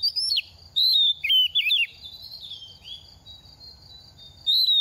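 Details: Oriental magpie-robin, second-season bird in moult and shedding feathers, singing loud clear whistles that dip and twist downward in a short phrase, then quiet with a thin steady high tone, ending on another bright whistle.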